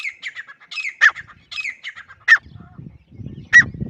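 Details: Grey francolin (teetar) calling in short, harsh, repeated phrases about once a second, each ending in a sharper accented note, with low rumbling background noise in the second half.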